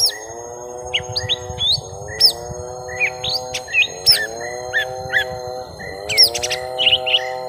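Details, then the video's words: Young lesser green leafbird battling a rival in a long fight: scattered piercing chirps and hooked whistles, some clicking notes, set against a droning low hum that rises and falls every couple of seconds. "Suara Pertarungan panjang cucak ijo mini muda"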